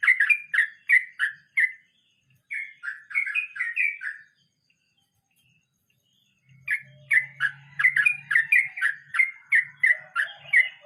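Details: Sooty-headed bulbul rolling through its 'nge roll mbonang' song: bursts of rapid, liquid whistled notes, a silent gap of about two seconds, then a fresh rolling run over a low background hum.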